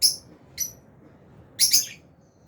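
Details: Lovebirds, albino and Fisher's, eating in an aviary give two crisp high chirps half a second apart, then after a pause a quick scratchy double chirp, with a quiet background.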